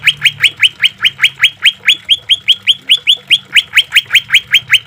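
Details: Continuous chain of quick rising whistles, about three per second, from a green leafbird in a full harsh-note recording for training and therapy of caged birds, with trickling water; slight shifts in note shape midway.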